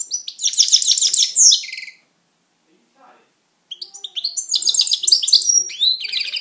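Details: European goldfinch kept at home, singing a dense, rapid twitter of high, liquid notes, falling silent for nearly two seconds, then resuming with bright chattering and sharp whistled notes.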